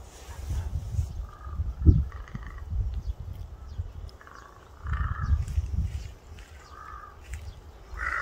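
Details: Crow uttering separate drawn-out caws a second or more apart, the last one louder, against heavy low-pitched rumble.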